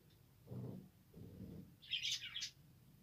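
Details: Budgerigars (Australian parrots), December 2, 2022: two soft low murmuring sounds, then a burst of bright, high chirping twitters near the end.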